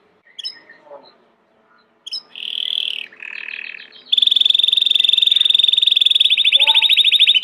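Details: Domestic Belgian canary song, opening with scattered soft chirps after a pause, then buzzy phrases building into a long loud rapid trill of evenly repeated pulses.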